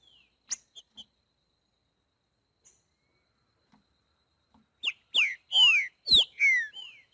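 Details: Green-winged saltator in the wild giving its boiadeiro song. A few faint, scattered notes and silence come first, then a burst of five loud, ringing whistles, each falling in pitch after a quick upward lead-in.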